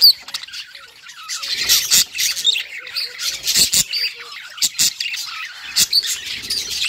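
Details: Several budgies giving happy sounds, an uneven, chattering warble full of squeaks and percussive clicks, some louder bursts and pauses, with soft low chirps underneath.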